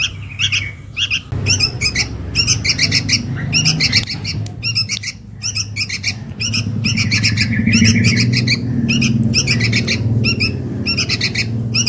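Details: Lure sound of a sooty-headed bulbul chick calling its mother: dense runs of harsh, buzzy chirps in rapid bursts, almost continuous, with a steady low rumble growing louder in the second half.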